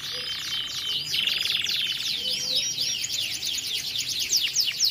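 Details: Continuous canary roll played to train young canaries: high rapid trills and rolls, a buzzy steady tour early on, then fast descending whistled sweeps repeated in quick series without pause.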